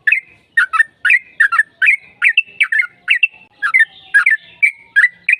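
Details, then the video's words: Sooty-headed bulbul giving a long, lively fighting-style song, used as a lure to make other bulbuls answer quickly. Bubbly, slurred notes, rising and falling, come in quick clusters about twice a second in an unbroken run. No other sounds. "PANCINGAN TRUCUKAN AGAR CEPAT BUNYI Trucukan gacor TARUNG ropel panjang JADIKAN BURUNG TRUCUK NYAUT"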